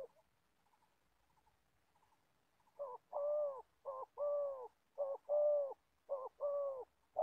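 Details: Old decoy Spotted Dove used for trapping wild doves in Gia Lai, Vietnam. After nearly three quiet seconds with faint soft notes, it gives deep, hollow coos, each a short note followed by a longer drawn-out one, repeated about once a second.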